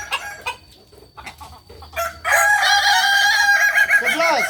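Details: Kukuak Balenggek rooster at a Sunday training contest in Ampang Kualo: after scattered clicks and murmurs, a loud sustained crow begins, a string of wavering, layered harmonic notes ending in downward-curving slurs, followed by applause.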